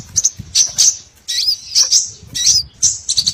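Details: Small birds in a lure recording for trapping, short bursts of high scratchy chirps and brief whistled slurs in groups about half a second apart, over faint low background noise.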